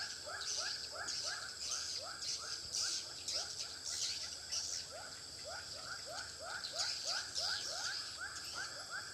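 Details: Swiftlets lured to a Pekanbaru bird house by this call: rapid upswept chirps, roughly two per second, in irregular runs, with a persistent high hiss and scattered clicks.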